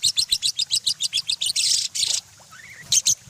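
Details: Lovebird: a fast run of sharp, high, shrill chirps repeated about eight times a second, then harsh screechy bursts, a brief thin rising whistle, and a final pair of piercing chirps.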